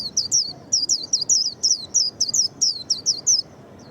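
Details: Japanese white-eye, said to be quick to sing, pours out a fast, continuous string of about fourteen high, piercing notes, each sliding downward, with barely any gaps.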